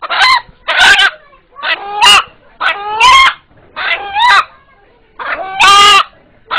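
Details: Eight-month-old rooster whose call is said to sound like 'Allah', made to call before onlookers: a series of loud hoarse harmonic calls, each about half a second to a second, repeated steadily.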